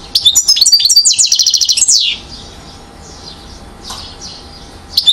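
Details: One-year-old European goldfinch, called acrobate, recorded in Mouzaia, Algeria, in 2012. It gives a bright, rapid twittering song phrase of buzzy trills and high chirps for about two seconds, then falls quiet except for faint distant notes and a final chirp.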